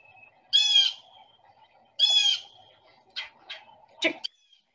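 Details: Red-bellied woodpecker (Melanerpes carolinus) calling in response to nearby blue jays, March 2021, on a morning with hard rain: two harsh, rolling churr notes about a second and a half apart, then shorter, sharper calls over a low hum.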